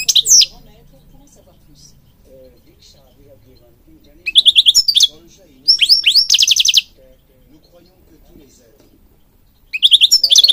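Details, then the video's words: European goldfinch, song for bird training: separate bursts of twittering separated by quiet gaps, including a dry, rapidly pulsed buzzy trill and quick high chirps. "Singing Goldfinch King goldfinch singing"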